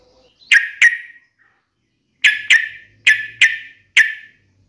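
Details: Sooty-headed bulbul sounds played as a lure to make a kept bird answer and sing: short, harsh chirping notes, mostly in quick pairs, with pauses of about a second between groups and a quiet background.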